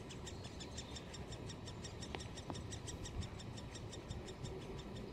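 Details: Nestling great spotted woodpeckers, red-crowned young poking heads from the nest hole at Solleveld in May 2018, give encouraging chattering while awaiting feeding parents: a rapid, regular series of thin high clicks, about five per second, over a low steady background hum.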